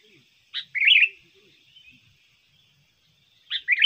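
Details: Sooty-headed bulbul lure song from a trained bird: one full bubbly phrase of a sharp note and then a slurred warble, a pause with faint low sounds, then the next phrase beginning.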